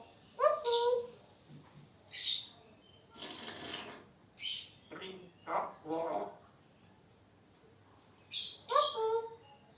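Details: Captive male African grey parrot chattering to himself: a mix of whistles, squeaky clicks and speech-like mumbling in irregular bursts, indoors.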